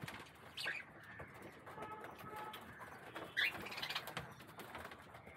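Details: Budgerigars squabbling over a bath give brief, high, scratchy chirps over a soft background of clicks and splashes of bathing water.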